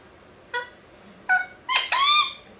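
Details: A pet rose-ringed parakeet, an Indian ringneck kept indoors, gives three short harsh calls with a quiet gap between them, the last call longer and more strident, in a quiet room.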